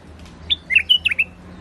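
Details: White-eared bulbul singing in a rooftop garden: a brief phrase of clear, liquid whistled notes, one short note then a quick bubbling run of four or five rising and falling notes, over a faint low hum.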